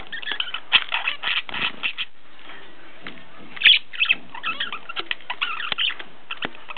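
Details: Household zebra finches in Ulaanbaatar, Mongolia, produce clustered bursts of sharp nasal chirps, then a quieter stretch, then more rapid overlapping beeps and clicks.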